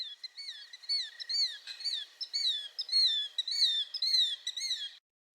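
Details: Killdeer giving shrill, high, down-slurred calls repeated rapidly, nearly two per second, with no other sounds.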